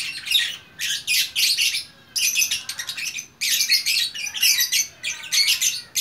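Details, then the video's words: Single lovebird of fighter type, recorded in Bukittinggi, West Sumatra, sings gacor style in grouped bursts of harsh, high chatter separated by short silences. "Burung Lovebird Gacor Orkestra"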